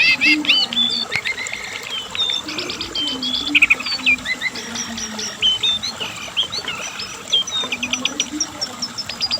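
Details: Asian brown flycatcher song, recorded for tutoring and luring caged birds: a dense, rapid run of high thin chirps, slurred whistles and short trills with brief pauses, continuing steadily throughout.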